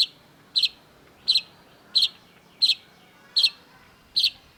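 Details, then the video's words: Long-tailed shrike: loud, harsh double-chip notes repeated steadily about every 0.7 seconds against a quiet background. "cendet gacor MASTERAN CENDET DURASI PANJANG || Long-tailed Shrike"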